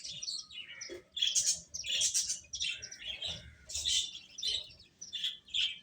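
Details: Chicks pecking at food and chirping, giving sharp high tweets in quick separate bursts, roughly one or two each second, from several birds calling together.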